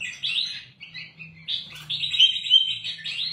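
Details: Ruby-throated bulbul, known locally as kutilang emas, recorded to train caged birds. A dense, unbroken warble of bright slurred whistles that swells louder toward the end, over a faint low background hum.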